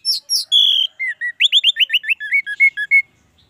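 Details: Song of an orange-headed thrush, played to coax a kept bird into full song: two high notes, a long sustained whistle, then a fast series of falling slurred notes that drop steadily lower.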